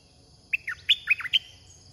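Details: Song phrase from a caged red-whiskered bulbul kept as a decoy for luring wild birds: six rapid, bright, slurred whistled notes in just under a second, with faint low background hum.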